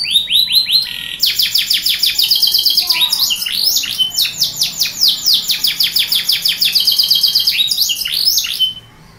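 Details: Canary, named a Yorkshire canary (also identified as a Belgian canary), sings a long, unbroken run of rapid, high, bright trills and rolling chirps, fast repeated notes shifting pitch throughout, with no other sounds.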